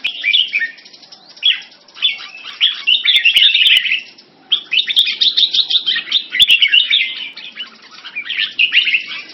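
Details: Red-whiskered bulbul in French molt, kept in Singapore, competing vocally with a rival bulbul and other birds. Bubbling, fast-paced phrases of tumbling notes pour out in bursts, with a short lull near the middle and occasional clicks.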